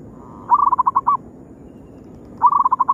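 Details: Zebra dove lure call meant to draw rival birds: a cooing phrase opening on a brief held note and breaking into a rapid series of short pulsed coos, repeated twice with steady low hum behind.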